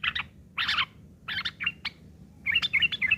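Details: Rough, noisy chatter from a sooty-headed bulbul, ngeriwik kasar, played to tutor long-tailed shrikes: dense grating bursts at first, then clearer rapid chirps near the end.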